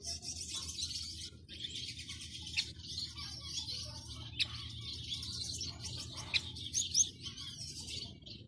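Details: Male Gouldian finch singing in courtship: soft, high, buzzy and scratchy twittering phrases with a few sharper clicks, delivered quietly over a faint low background hum.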